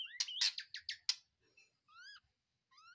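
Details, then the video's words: Caged white-rumped shama just taken from a breeding cage, singing: a burst of loud harsh chattering notes, then two clear rising whistles with overtones after a short pause. "di cabut dari kandang ternak langsung gacor"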